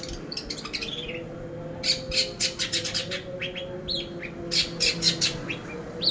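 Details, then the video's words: Long-tailed shrike song used as a training lure for songbirds: a lively mix of sharp chirps, short whistled notes and rapid scratchy bursts, loudest in the middle and end, over a steady low hum. "Pancingan Burung Cendet Pastol"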